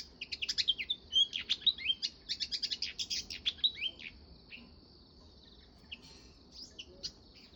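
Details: Sparrow giving a fast, busy burst of sharp high chirps and tweets, about two per second for four seconds, then trailing off into a few scattered faint notes against quiet background noise.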